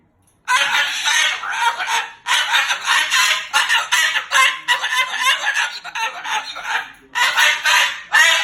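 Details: Pet Moluccan cockatoo, angry about its owner sleeping over, talking and cursing loudly: harsh, raspy, speech-like bursts in quick runs with short pauses, after a silent start.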